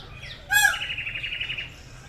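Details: Peacock giving a call: a sudden harsh burst followed by a steady run of rapid, pulsed, nasal harmonic notes that fades out, with faint background hiss.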